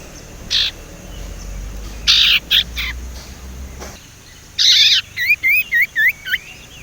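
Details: Untrained young male Sumatran leafbird, used as a lure to coax quiet leafbirds into song, mixes harsh buzzy chips with a run of about six wavering whistled notes that dip and rise in a rolling pattern.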